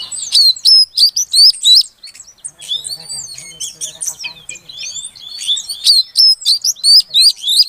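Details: A female Oriental magpie-robin calls to rouse a silent male: crisp upslurred whistles repeated quickly, a softer stretch of mixed chirps in the middle, then another run of loud regular whistled notes.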